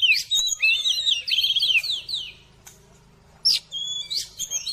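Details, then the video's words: Oriental magpie-robin (kacer) in excitement-raising therapy song. Dense, rapid whistled and scratchy phrases for two seconds, a near-silent pause, then bright high whistles and chips resume. "TERAPI KACER CEPAT NAIK EMOSI"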